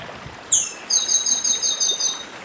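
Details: Chestnut-bellied seed finch, the northeastern Brazilian form, singing beside a stream: a descending whistled opening followed by a rapid series of bright, repeated high notes, with steady running-water hiss beneath.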